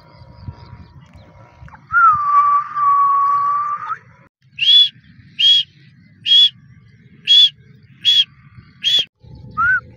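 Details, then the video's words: Female grey francolin calling: a long, steady whistle, then six short, high, bright notes at nearly even intervals, ending with one lower slurred note. Background quiet apart from a faint low rumble. "TEETAR's Mesmerizing Bird Song"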